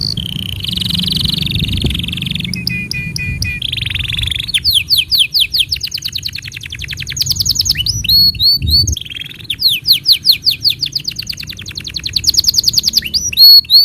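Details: Canary tutor song played for young canaries and to prompt silent canaries to sing: a long buzzy rolling tour, then a fast series of sweeping rising-falling notes repeated in quick pulses, with choppy whistled trills between.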